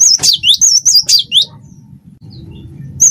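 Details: Cinereous tit of the wingko type singing hard as tutor song: a fast run of high, twisting whistled notes for about a second and a half, then quiet with low hum and one closing whistle.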